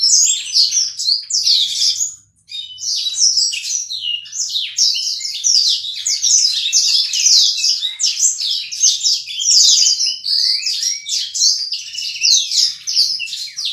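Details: Black-throated canaries, paired for breeding after being placed within sight of each other, twitter in fast, high, jumbled chirps and trills that run almost without pause, broken by one brief silence early on.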